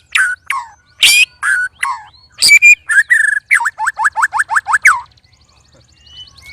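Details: Caged white-rumped shama among three sparring birds, loud and odd-sounding: mixed falling whistles and rasps, then a quick run of about eight sharp, descending clicky notes, ending in quiet.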